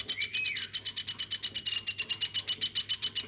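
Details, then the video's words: A woodpecker raised from a chick calls tirelessly indoors, a steady rapid run of high, dry notes about four to seven per second, opening with a soft rising-falling whistle. "AMOY BURUNG PLATUK GACORNYA SAMPAI 5 MENIT"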